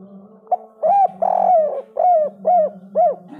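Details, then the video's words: A zebra dove, a loud, very vocal bird said to stir other birds into breeding excitement, gives a rapid run of soft, arched cooing notes, about two per second, over a steady low hum. "derkuku kuk 3 suara besar super gacor"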